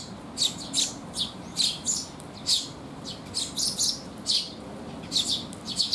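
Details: At a rainy-day resting place on 19 June 2021, Eurasian tree sparrows coming for food chirp repeatedly, with clustered high notes in quick pairs and triplets and a soft steady hiss in the background.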